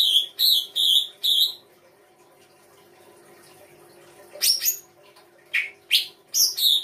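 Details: Songbird song offered as fill-in song material: four loud, clear whistled notes in quick succession, a pause, then sharp sweeping chirps, over a low steady background hum.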